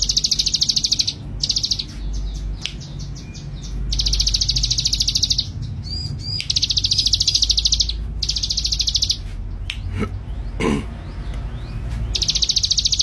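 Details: Bold, chatty male ciblek gunung sings repeated high, fast-pulsed buzzy trills in bursts of one to two seconds, separated by brief gaps, with a few short clicks and low background rumble.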